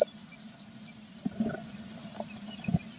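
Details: Tits nesting in a box with chicks, 21 April: a rapid sequence of about seven high paired notes dropping in pitch, followed by soft thuds and shuffling inside the nest box.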